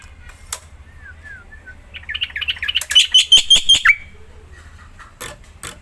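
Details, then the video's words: Black-winged myna, a Javan white starling, singing energetically to prompt other mynas to sing: soft downslurred whistles, then a rapid run of repeated buzzy, chattering notes, with a few sharp clicks. "JALAK PUTIH GACOR | JANGAN KAGET KALO JALAKMU LANGSUNG GACOR SETELAH MENDENGAR SUARA JALAK PUTIH INI"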